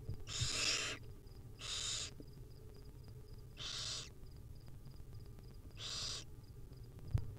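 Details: Hungry barn owl chicks in a wild nest as the mother feeds them, uttering broad, noisy screeching hisses of under a second, four spaced about two seconds apart, over a steady low rumble and faint ticking.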